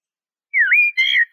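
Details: Eurasian blackbird song phrase: a fluted whistle swoops down and then rises, followed by a wavering warbled note. The background is quiet.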